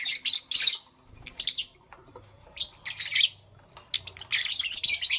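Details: Pet lovebirds in the morning let out loud bursts of shrill, raspy chirping separated by short quiet gaps, with a faint low hum underneath.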